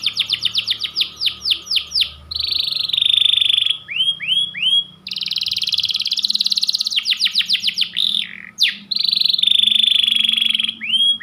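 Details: White panda canary in long, driving song: rows of rapid downward-swept chirps, long buzzy rolls, curved whistled notes and dense trills, one phrase after another with barely a pause.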